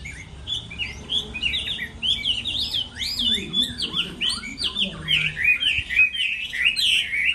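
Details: Chinese hwamei in a moulting-season singing match: a fast, jumbled series of looping whistled notes repeated in quick succession, with a faint lower chatter in the middle.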